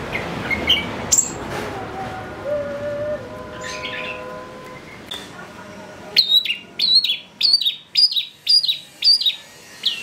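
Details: Long-tailed shrike lure recording for provoking excited song: faint scattered notes, then a string of sharp, downward-slurred chips repeated about twice a second.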